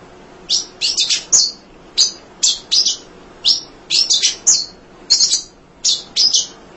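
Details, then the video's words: Munia kept singing without tiring to tutor other songbirds: a steady series of high, clipped chirps, often doubled or tripled, arriving about twice a second across the whole stretch. "Kicau Emprit Ngoceh Tak Kenal Lelah Untuk Masteran"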